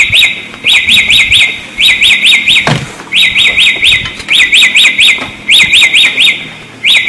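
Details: Samyong song recorded for training other songbirds: quick bursts of rising whistled notes in groups of three to five, each burst about a second long, repeated with short pauses, and one brief low thud midway.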